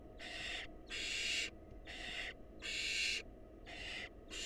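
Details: At a wild barn owl nest box, where the female feeds a nestling a mouse brought by the male, rasping hiss bursts of about half a second repeat roughly every second, five in a row.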